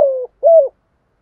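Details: Spotted dove cooing in the thúc gù style of a wild-caught bird: two short, low, hollow coo notes, the second slightly rising then falling, separated by a brief pause, with no other sounds.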